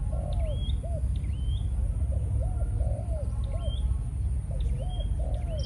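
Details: Breeding-mode decoy spotted dove of Malaysian stock, cooing in paired hollow notes partly buried under heavy low rumble, with repeated thin upslurred chirps from other birds higher up.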